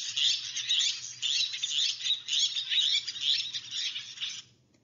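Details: Least tern's typical call on Nantucket in July 2020, a rapid run of high, harsh, squeaky chattering notes, almost two a second, without a break for over four seconds.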